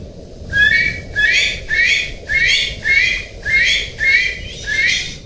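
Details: Golden pheasant calling: seven harsh, nasal, harmonic squawks in quick succession, each about half a second long and spaced under a second apart, over a steady low rumble of background noise.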